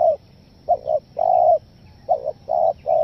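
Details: Spotted dove call used as a lure for wild doves, a stuttering style: short doubled coos followed by a longer drawn-out coo, in mid-pitched bursts repeated in phrases, over quiet background.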